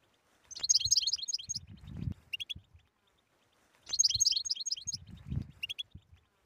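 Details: Tabtaba song of the European goldfinch, meant to coax silent birds into song: two bursts of busy, high, chattering notes a few seconds apart, each closing with a brief tinkling flourish over low thumps.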